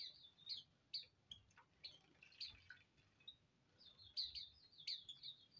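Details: A bathing colony of Hume's white-eyes gives high, thin twittering chirps in loose bursts. A denser cluster of overlapping notes comes toward the end, over a quiet hiss.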